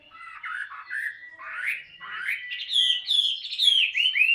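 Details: Tame Chinese hwamei in a cage, voice-training song of varied warbled phrases that build louder, ending in bright, clear rising whistles.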